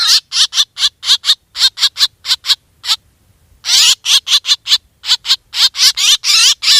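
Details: Black drongo used as a decoy for hunting, giving rapid strings of scratchy, buzzy notes. A one-second pause near the middle separates the strings, then the grating chatter resumes even more densely.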